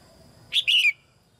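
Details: A female red-whiskered bulbul in a cage sings to prompt young birds to sing; one clear whistled phrase, a short high note then a longer warbling slur dropping in pitch.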